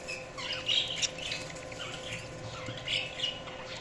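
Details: Several budgerigars chattering in a continuous run of high, warbling chirps and squeaks, uneven in rhythm, over a noisy background with a low steady hum.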